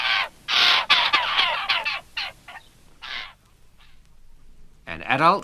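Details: Young Eurasian Jays in English broad-leaved woodland in June demand to be fed, a quick run of about eight harsh rasping screeches over three seconds, then a pause; a voice begins speaking at the end.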